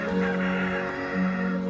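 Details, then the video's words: A rooster at a countryside campsite in Slovenia, crowing for four hours in the sunshine; a short, low, drawn-out crow with a steady tone, slightly rising at the end, no other clear sounds. "Bon, le coq, ça fait 4 heures qu'il chante."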